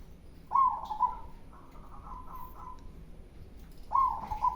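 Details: Loud song of a local zebra dove: a strong cooing phrase followed by a softer rolling trill, then the next phrase beginning about three seconds later, with faint low background noise.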